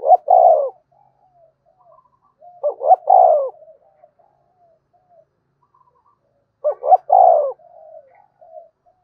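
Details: Spotted dove giving calling crow, three coo phrases spaced about three to four seconds apart, each short double notes then a longer falling coo, followed by soft trailing murmurs and faint background notes.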